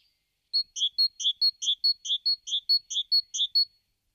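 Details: Great tit song recorded in León, Spain, in March–April 2019: a fast run of bright two-note phrases, high then slightly lower, repeated about eight times in three seconds against a quiet background.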